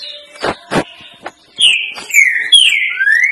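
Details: A green-winged saltator sings the "3 notas boi" song, a type used for tutoring young birds: rich, slurred whistles in a short phrase of falling then rising notes, preceded by a few dull knocks.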